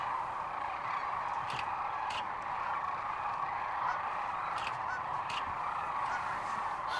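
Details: Sandhill cranes massed at Rowe Sanctuary, Nebraska, March 13, 2014: an unbroken trumpeting chorus, punctuated by several sharp, rattling calls standing out above the flock at intervals.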